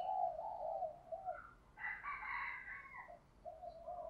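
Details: Spotted dove in the 'giọng thổ pha đồng' voice style giving a low drawn-out coo, broken midway by a loud rooster crow, then cooing again at the end.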